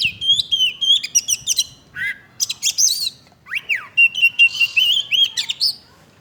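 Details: Lively song of an Oriental magpie-robin: a fast stream of clear whistles, sharp upslurs and downslurs, and short trills, varied phrase to phrase and delivered almost without pause, with only light background hiss.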